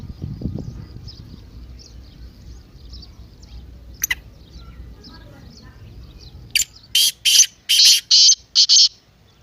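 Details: Partridge call meant to get a quiet partridge calling: faint murmuring voices and a sharp click come first, then a fast run of six loud, harsh, rasping bursts near the end.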